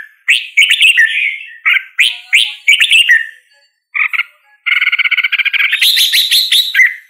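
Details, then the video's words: Red-whiskered bulbul song of bubbly slurred phrases, then a quick stuttering rattle of rapid repeated notes and a final burst of bright chattering. "Red whiskered Bulbul Singing Call Sound | Red whiskered Bulbul Bird Singing"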